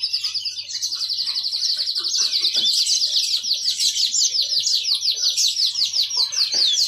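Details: Caged yellow-fronted canary delivering a sweet rapid song: a steady rolling trill of repeated notes, close to three per second, rising in loudness midway, with faint low room sounds beneath.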